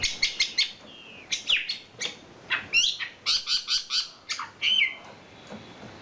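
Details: Champion wambi bird in kicau isian filler song: bursts of fast, high, buzzy chattering notes in groups of three to five, with brief whistled slides between the bursts.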